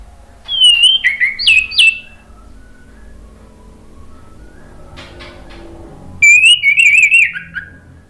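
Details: Male orange-headed thrush singing spontaneously in reply, used as a lure sound to coax silent birds into song: two bursts of high, rich whistled phrases, wavering and slurred, separated by about four seconds of quiet.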